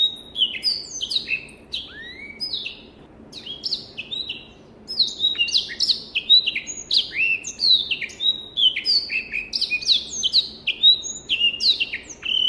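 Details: Black-throated canary from Africa sings an extended song, opening with spaced whistles, a short lull, then a dense burst of rapid chattering, sliding notes and sharp clicks, used to teach other birds.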